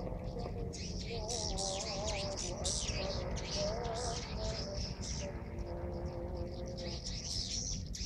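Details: Swiftlets entering a swiftlet house in Subang, Indonesia, during the call to prayer, twittering in dense, buzzy high chirps without pause, over a wavering chanted voice and a steady low rumble.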